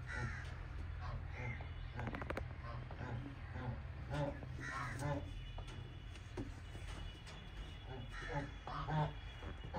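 Bronze peafowl giving short, harsh, nasal calls that repeat every second or so, over a steady low rumble and faint voices.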